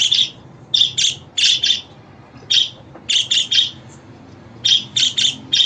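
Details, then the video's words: A budgerigar gives rapid, grating chirp notes, often doubled or tripled, with brief pauses between the groups and a low background drone. "Muhabbet Kuşu Sesi, Kuşunuz Kesin Ötecek, Karşılık Verecek, Muhabbet Kuşu Çağırma Sesi!"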